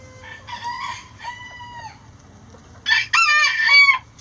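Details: Roosters crowing before dawn as the flock flies out of the coop; two harmonic crows, the first a drawn-out wavering cry, the second louder and broken into stuttering bursts, over a low steady hum.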